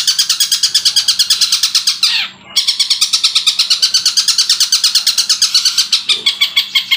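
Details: A young (trotol) long-tailed shrike, said to already mimic the Tengkek Buto "kuntilanak" sound, pours out a fast run of harsh, chattering high notes, about three per second, broken once by a brief downward-sliding squeal.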